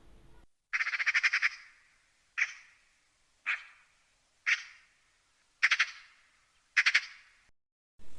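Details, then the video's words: A Eurasian magpie chatters harshly: an opening rattle of about six rapid dry notes, then single grating chacks about once a second. "Давайте послухаємо, як сорока розмовляє."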